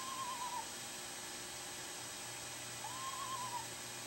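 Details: A female screech owl dueting with her mate before showing five eggs in her nest box gives two quavering, tremulous calls that arch up and down, about two and a half seconds apart, over steady hiss.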